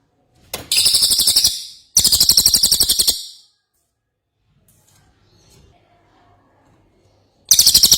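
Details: Cililin (ashy tailorbird) singing vigorously, a tutor recording for cage birds; two short bursts of quick, shrill, rattling notes, then several seconds of near silence before another burst begins.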